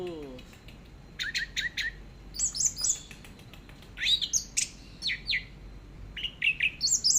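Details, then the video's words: Orange-headed thrush singing in the teler style, in a long master recording. Bright whistled phrases dart up and down in quick bursts of sharp slurred notes, with short pauses between. A brief low sliding sound opens the recording. "BURUNG ANIS MERAH TELER"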